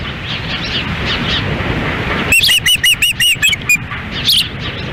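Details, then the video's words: Windy June 10, 2017 feeding at an osprey nest in Lolo, Montana, female feeding young while male stands by; after wind noise, a quick series of clipped whistled chirps, then a higher squealing note. "Dunrovin Ranch Ospreys ~ A Windy Day Feeding"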